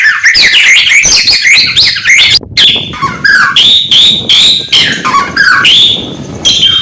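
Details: Morning song of a white-rumped shama, meant to stir up rival birds: high, bright phrases of sweeping whistles, trills and scratchy chatter, then clear repeated high whistled notes with short gaps toward the end.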